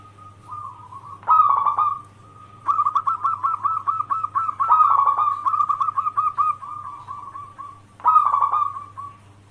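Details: Actively singing local zebra dove, recorded to lure other zebra doves into answering: repeated bursts of rolling, stuttering coos separated by long runs of quick staccato notes, with a steady low hum throughout.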